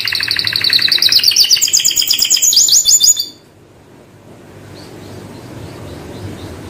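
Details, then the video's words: Canary singing a rapid, rising series of trilled notes for about three seconds, then near silence with faint distant chirps and low background noise. "SUARA BURUNG ( canary ) V 350 V ( Suara yang luar biasa )"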